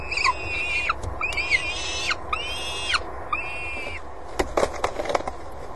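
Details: Four drawn-out, slightly arched wailing notes, each under a second and evenly spaced, from peregrine falcons nesting on the Axel water tower in spring 2011, followed by a cluster of sharp clicks and knocks over low background hum.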